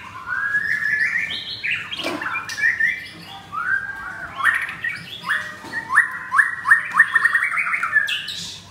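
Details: Mottled 'blorok' white-rumped shama kept in a cage, singing back at a rival on a Thursday morning, 19 May: fast whistled phrases that climb in a stepped series of short repeated notes, with a low hum throughout.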